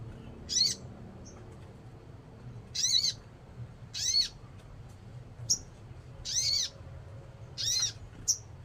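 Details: Sogon (crimson sunbird), a bird kept by Indonesian hobbyists, repeating harsh scratchy buzzes about every second or two, mixed with brief sharp high tsip notes, over a low background hum.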